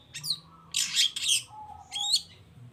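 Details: Long-tailed shrike singing vigorously to stir a quiet bird into replying: a few loud, buzzy, rasping bursts separated by short pauses, with a thin sustained tone humming underneath.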